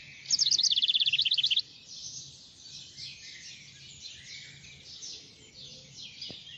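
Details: Birdsong: a loud, rapid trill of high repeated notes lasting just over a second opens, then gives way to a softer, continuous background chorus of high chirps and twittering.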